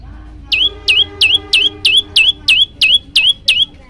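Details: Olive-backed tailorbird song intended to prompt other birds to sing: ten loud, piercing notes, each a sharp downward flick into a held tone, repeated at an even pace of nearly three per second.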